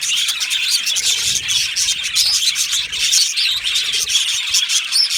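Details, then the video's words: Many budgies in an aviary colony, chirping together: a busy, unbroken chorus of thin high tweets and chattering notes, rising and dipping slightly in loudness. "Budgie parrot chirping sounds"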